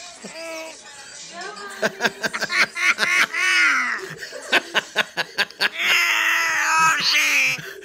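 A grey parrot gives a rapid, varied run of sharp clicks, chuckling laugh-like notes and voice-like harmonic phrases, some rising and falling, heard indoors.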